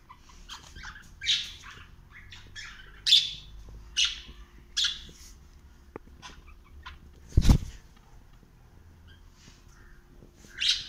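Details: Cockatiel exploring a house indoors, giving short, bright chirps every second or two, each a quick burst, with one loud thud midway and a quiet room hum beneath.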